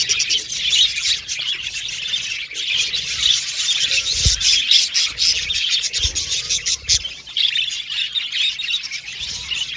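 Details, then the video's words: Several budgerigars singing and chattering together, a continuous high warbling chorus with quick chirps, plus a few low thumps in the middle. "Budgies Chirping Sound"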